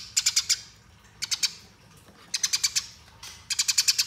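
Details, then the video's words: Fighting Eurasian tree sparrow from a master training recording; four bursts of bright, rapid high chirps, each of three to six notes, spaced about a second apart. "Masteran Gereja Tarung Ngeroll Abis"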